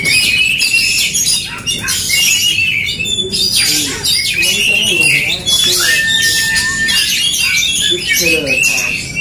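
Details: Oriental magpie-robins dueling in an aggressive fighting contest, singing over each other with dense, harsh squawks and rapid high whistles, including one long flat whistled note near the six-second mark.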